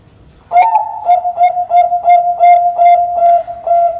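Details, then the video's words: Bangkok-type zebra dove, a contest songbird, giving a loud, clean song meant to prompt other doves to sing: quick, even-pitched mellow coos repeated about three per second, roughly ten notes after a sharp start, with no other sounds. "Perkutut Bangkok lomba suara lantang, bersih dan bening"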